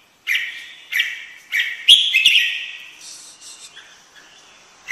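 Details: Red-whiskered bulbul delivering a quick run of four or five loud whistled notes, then softer twittering fading away at the end.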